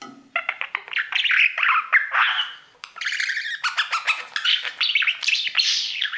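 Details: Male pet budgerigar warbling at its mirror, starting with a series of quick separate chirps, then running into rapid scratchy chatter, clicking rattles and high squeaky whistles.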